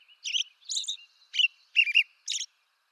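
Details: Five quick warbling phrases from an American robin (Turdus migratorius), eastern North America, each a short burbled carol with thin high notes, ending in silence.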